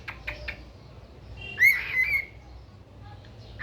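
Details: Pet cockatiel making a single drawn-out whistled call with a rising then level tone, preceded by a few soft clicks and followed by quiet, a low hum underneath.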